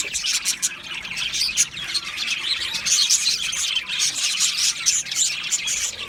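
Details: Cheerful chirping from many Australian budgerigars, high squeaky notes and quick whistled flicks crowding together into a continuous twittering.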